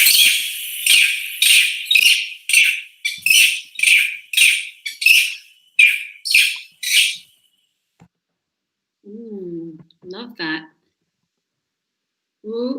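A greater racket-tailed drongo mimics a long-tailed macaque: harsh, scratchy high notes about twice a second for seven seconds, then a few lower nasal, wavering calls.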